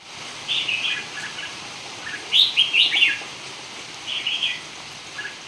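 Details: Red-whiskered bulbul singing in a contest, short bubbly whistled phrases spaced a second or two apart, the loudest cluster in the middle, over a steady background hiss.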